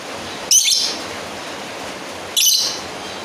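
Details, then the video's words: Lovebird calling a rival: two short, shrill, high-pitched screeches about two seconds apart over a steady background hiss. "Suara Asli burung lovebird Manggil lawan"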